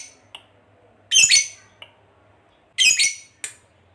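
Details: Lovebird fighter uttering harsh, loud squawks in two bursts, each with a short double note, interspersed with brief faint chirps against a quiet background.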